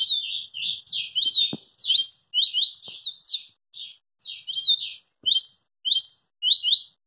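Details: Double-collared seedeater singing very fast, stringing dense buzzy, upward-sweeping notes together in quick succession, about a hundred per minute, with occasional faint taps behind.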